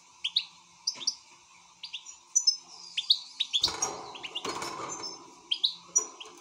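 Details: Excited European goldfinch singing in short, separated bursts of bright twittering notes and upward-swept chirps, pauses between phrases, with a brief scratchy rustle midway and a faint steady hum underneath.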